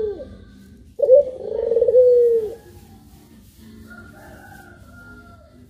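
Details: A single long coo from a puter pelung dove, one of two birds: a bright opening note, then a sustained, wavering, falling tone. Faint quieter coo-like sounds and a soft high tone follow.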